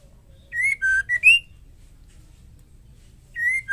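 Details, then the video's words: Female white-rumped shama singing to provoke male shamas: a phrase of four clear whistles, level, lower, level and rising, then quiet, then the opening whistle of the next phrase; soft low hum throughout. "Murai betina gacor ampuh untuk pancingan"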